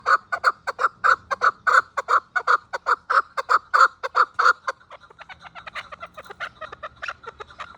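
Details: Chukar partridge calling in 2026: rapid run of loud clucking chuk notes, about one and a half per second, strong for five seconds, then a fainter, quicker series of similar notes continues.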